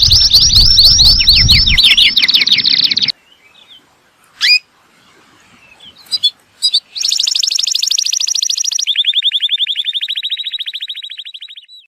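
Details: Atlantic canary (Serinus canaria) song used to teach young birds and stimulate males to sing: a fast buzzy trill series, a pause with scattered clicks, then a long even rolled trill that slowly fades.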